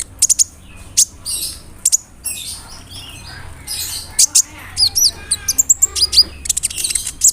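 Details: Lure recording of a sunbird singing with rolls and imitated phrases of crickets and other birds; high piercing ticks and short squeaky twitters scattered irregularly, with a low background hum throughout.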